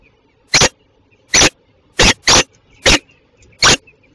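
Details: Belgian female peregrine falcon at Tilburg Westpoint, 27 June 2024, just after eight in the morning, giving six hoarse, grating bursts at uneven intervals, two nearly run together, against a faint low hum.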